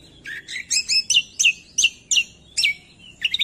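Cucak kombo singing a rapid run of bright, high chirping phrases, about eight in quick succession, each a short burst of sharp, slurred notes, against a quiet background.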